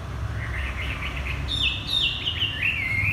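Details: Ground-perched Chinese hwamei delivering varied whistled phrases, quieter warbles first, then louder high slurred notes that swoop down and rise again.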